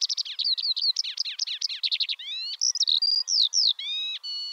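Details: Eurasian skylark (Alauda arvensis) song: a fast, unbroken stream of high chirps, trills and whistled notes, varied and tumbling, with rapid buzzy runs and brief pure tones.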